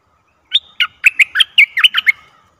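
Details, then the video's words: A bulbul used as a decoy, singing to draw in a very old wild bird: a brisk string of about ten sharp, bubbly chirps rising and falling in quick succession. "เสียงต่อนกดอกแตงEp.69 เชลยไม่ธรรมดา(แก่มาก) Burung merbah kuing gacor"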